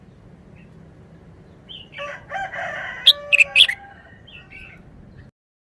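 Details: Red-whiskered bulbul kept in a cage in Thailand giving one short wild-style song phrase: quick sharp whistled notes over a harsh, crowing sound, with soft chirps before and after.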